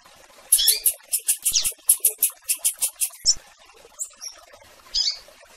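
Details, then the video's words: Rusty-collared seedeater peeping and calling for a female, with blue-black grassquit also present; a rapid run of about a dozen dry, very high ticking notes, followed by a few isolated thin chirps. "Piando e Chamando Fêmea de Coleiro e Tiziu"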